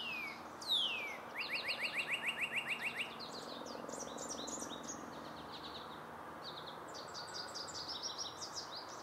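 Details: A Northern cardinal (Cardinalis cardinalis) singing on a dead tree in Eastern Ontario gives a quick run of about a dozen bright, down-slurred whistles, while other birds add high chips and chatter throughout.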